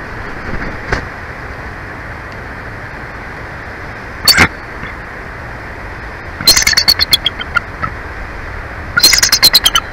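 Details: Wild bald eagles at a live nest cam in Big Bear Valley, photographed 26 March 2024: bursts of sharp, high staccato chattering notes in quick runs, over constant wind or traffic hiss.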